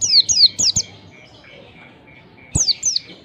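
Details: Oriental white-eye, a lure recording meant to stimulate young birds to start singing: a quick run of four sharp, high, downward-sliding chirps, a pause of about two seconds, then two more, over a faint steady dashed tone and low hum.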